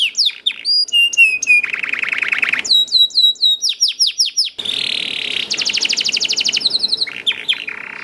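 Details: Energetic young canary song for prompting other canaries: sharp descending whistles, a buzzy trill, series of curved repeated notes, then a long rapid rattling roll and more chirps.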